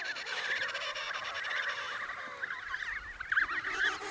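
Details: Emperor penguin chicks in Antarctica, eating snow for hydration, with a chorus of warbling, wavering whistled calls overlapping continuously, some trills standing out near the end, over a soft background hiss.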